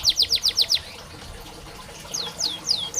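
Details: Canary singing, played to coax silent canaries into song: a quick burst of six high, sharply dropping chirps, a pause, then a few more downward-slurred notes against light hiss.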